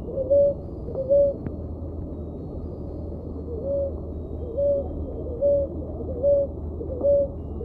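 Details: Rolinha roxa, the ruddy ground dove (Columbina talpacoti), giving its song: a series of seven short, soft, tonal coos, two at the start, then a pause of about two seconds before five more in regular rhythm, with low steady hum behind.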